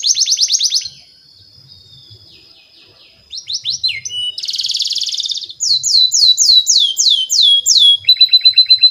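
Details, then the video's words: Canary song played as a lure for young canaries. It opens with a quick trill, then soft lower notes, a buzzy rolled phrase and a tour of bright downslurred whistles, and ends with a rapid ringing trill. "SUARA BURUNG KENARI PANCINGAN MASTERAN PAUD BIAR GACOR PANJANG"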